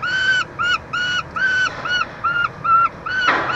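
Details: Peregrine falcons at a nest box at the University of Montreal, Quebec, Canada, 22 June 2023, during chick feeding; eight arched, harmonic, wailing calls with short pauses, then a brief rustling burst at the end.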